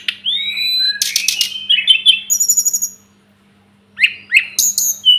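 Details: Masteran recording of the Sunda robin (local names tledekan gunung, sulingan gunung): rising whistles lead into dense chattering twitters, a pause of about a second, then bright slurred notes return. A faint hum is present.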